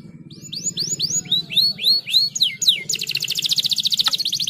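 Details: Caged canary singing, used to stimulate other birds to sing: about eight clear sweeping slurred notes in a row, then a fast, high, buzzy trill; a low steady hum runs underneath.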